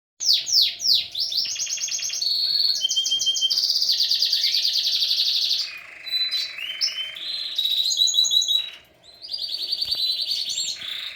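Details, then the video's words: A canary sings a long, rapid run of high tours: fast downslurred chips, buzzy trills and sustained rolling phrases that shift every second or two. "canary singing"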